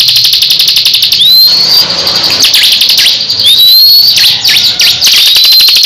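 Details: Captive crescent-chested babbler competing in song with another bird; rising whistled slurs at intervals over a dense rattle of rapid buzzy notes, with several quick dipping swoops.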